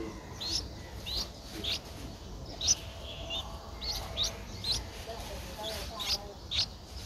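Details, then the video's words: Eleven-day-old Streak-eared Bulbul nestling in Ubon Ratchathani, Thailand, 13 April 2023; thin high squeaky chirps given in scattered bursts roughly every half second, over a faint constant low rumble. "นกปรอดสวน อายุ 11 วัน : Streak-eared Bulbul (Pycnonotus blanfordi)"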